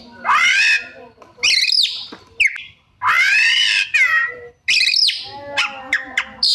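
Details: Oriental magpie-robin (kacer) in full, busy song, showing off mimicked phrases: loud harsh rising-falling notes with rich harmonics alternating with sharp upward whistles and short chips, in bursts separated by brief pauses.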